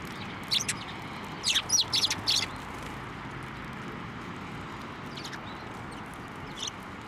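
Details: Sparrows fed by hand at a Tenmangu shrine, 23 November 2023: a brief cluster of high chirps early on, a few scattered fainter tweets later, and steady low background noise.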